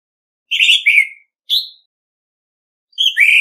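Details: Noise-free competitive song of an Orange-headed thrush decoy bird: a warbled falling whistle, a short high note, then after a pause a rising whistle sliding down into a rough, buzzy ending.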